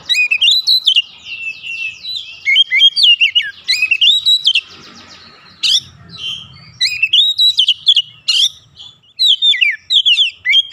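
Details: Oriental magpie-robin (kacer) in an emotional, agitated state, delivering isian song: nearly continuous loud whistled phrases with quick trills and twisting slurs, interrupted briefly by a rustling noise midway.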